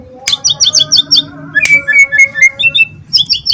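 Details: White-rumped shama, a young wild-caught bird in Semarang, keeps singing despite its cage being held: quick series of high chipping notes, a sharp burst, then a chain of bright clear whistles stepping up, and more rapid chips.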